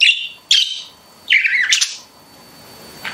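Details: Pet budgerigars chirping indoors: a few short bright chirps and a warbled squawky phrase, separated by brief pauses.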